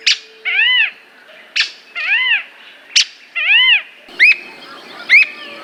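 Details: Squirrel cuckoo (Piaya cayana) in Brazil calling with sharp, high clicks, each followed by a nasal, arched, cat-like mew, about six times in under six seconds, over a faint background hiss.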